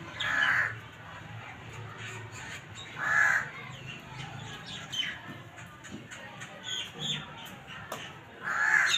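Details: Black francolin (kala teetar) calling with three loud, rasping, buzzy bursts spaced a few seconds apart, with quiet clicks and faint background noise between phrases.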